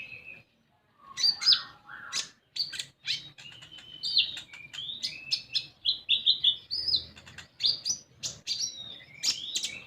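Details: Common iora song used as a lure to get young untrained birds singing: quick high chirps, short whistled notes and brief buzzy trills in varied bursts, with a few lower notes near the start and a short silent gap early on.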